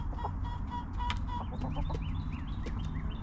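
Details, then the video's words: Backyard hens clucking and relaxing in their cozy coop: a few short, tonal clucks early on, then quick high chirps from small birds repeating through the rest, over a steady low rumble. "Hens Clucking!"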